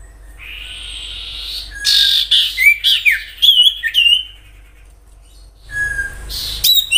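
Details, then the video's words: Common iora song recorded in the wild, used as a lure to prompt other ioras to sing: a long thin whistle, then a burst of bright, piercing whistled and chirped notes with quick up-and-down slurs, and a short sharp flourish at the end. "Sirtu gacor nyiul asli suara Alam cocok untuk pancingan sirtu ombyokan,agar cepat Bunyi"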